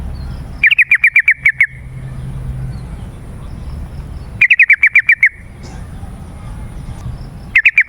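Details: Yellow-vented bulbul, played as a lure to bring wild birds from forest and garden. Quick runs of seven or eight sharp chirps repeat every few seconds with steady, dense spacing and little background noise.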